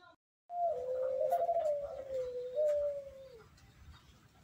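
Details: Spotted dove singing manggung, a single long low phrase of rolling coos that wavers and dips, then ends in a falling tone after about three seconds, over faint background noise.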